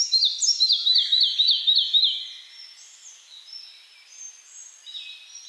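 A Red-breasted flycatcher sings a two-second run of about eight high, sweet repeated notes, slightly falling at the end. Fainter birds call in the background afterwards.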